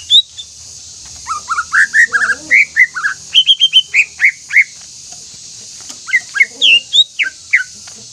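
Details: Greater green leafbird song for goading rival leafbirds into singing: quick rising and falling whistles, then repeated level high notes, a pause, and more slurs, over a steady high hiss.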